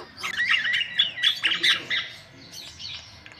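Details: White-vented myna in busy song, used as a lure for other birds: squeaky, scratchy warbled notes come in quick bursts, then fade toward the end.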